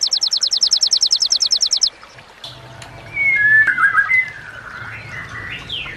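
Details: White-rumped shama song meant as a tutor recording for other shamas: opens with a fast, even run of high repeated notes, then a pause and a low rumble, followed by sweeping, rising whistles.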